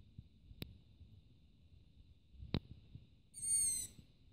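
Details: Young long-eared owl sitting on a rooftop around 23:30, begging for food; one thin, high, hoarse squeal with a gently descending pitch near the end, preceded by two sharp clicks over a faint low hum.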